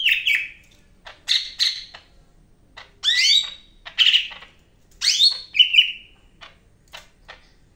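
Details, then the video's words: Vigorous song of a Medan greater green leafbird, known locally as cak ijo: a varied series of whistles, harsh chatters and down-slurred notes, delivered in short bursts every second or so. "BURUNG CAK IJO MEDAN GACOR NGAMUK"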